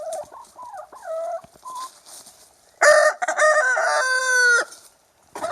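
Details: Young rooster with soft short clucks and rising notes, then a loud harsh crow that stretches into a long held ending, about two seconds in all.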